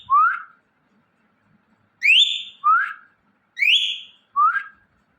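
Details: Indian ringneck parrot making natural sounds: loud, clear upslurred whistles, alternating lower and higher rising notes with harmonics, five calls spaced irregularly with silence between.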